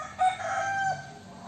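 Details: Young rooster crowing: a single sustained, harmonic crow lasting under a second, steady in pitch with a slight rise at the start and a drop at the end.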